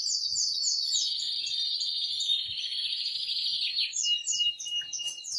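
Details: Aroused male canary in very loud song meant to stimulate a female to mate: a long high rolling trill held near steady pitch for almost four seconds, then quick descending chirps.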